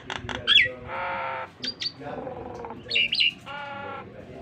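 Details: Nias hill myna's mimicry-ready song for training pet mynas: clipped whistles, a long grating squawk, a pair of sharp rising whistles and a final coarse, buzzy note.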